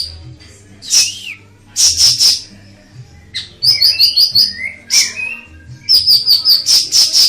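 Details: Ashy tailorbird master song: sharp high notes in twos and threes, a slurred downward whistle, then rapid even trills of bright, high notes repeated near the end, over a quiet low hum.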